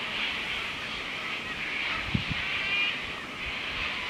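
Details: In Australian bush in the late afternoon near dusk, a large flock of sulphur-crested cockatoos gives a steady wash of harsh, raspy, very loud screeching, with a couple of low thumps nearby.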